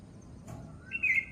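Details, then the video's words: A bird gives one short, clear whistled note near the end, a faint rising slide into a steady bright tone lasting under half a second, over a low background rumble. "चिड़िया 🐦 की आवाज captured"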